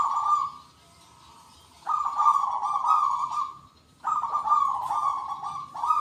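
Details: Local zebra doves calling back and forth with the big 'kung' voice: a fading coo, then two long purring phrases near two and four seconds, backed by scattered chirps of other birds.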